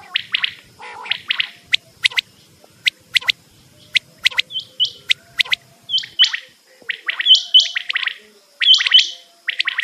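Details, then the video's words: Quail (batair) lure recording used for hunting: sharp clicking ticks at first, then repeated bright chirped bursts at irregular intervals, with a faint low rumble underneath for the first six seconds. "batair hunting"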